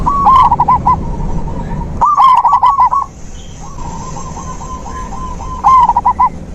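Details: Zebra dove song for stimulating a dove that stopped singing: three rapid, stuttering phrases of bright coo notes, with a quieter, evenly spaced series of soft notes between them.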